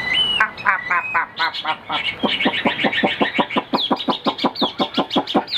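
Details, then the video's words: Chinese hwamei, a caged songbird with white wings and tail, singing loudly: long rising whistles, then a rapid, rhythmic string of repeated ringing notes that speeds into a steady trill. "Hót cao cầu"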